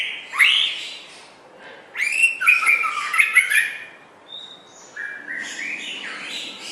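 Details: White-rumped shama singing, recorded for training songbirds: rising whistles, a cluster of sharp varied notes, a pure high whistle, then softer mixed phrases.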